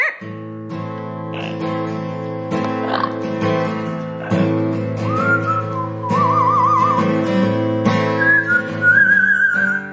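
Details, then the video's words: Tico, a pet Amazon parrot in Florida, sings along to acoustic guitar playing "Ain't No Sunshine": clear, sliding and warbling whistled notes over steady chords, tones rising and wavering in the second half. "Tico The Singing Amazon"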